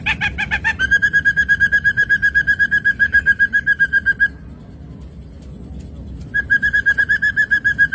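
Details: Ashy drongo song from a songbird training recording: a brief harsh opening, then a fast, regular string of lower whistled notes lasting several seconds, a pause, and the same repeated note series starting again; soft background hum.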